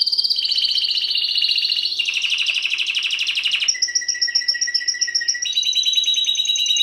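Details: Kept Timbrado canary in full song: a dense rapid trill at one pitch, shifting to a buzzier roll, then higher rattling phrases over a low steady whistle, each section lasting one to two seconds.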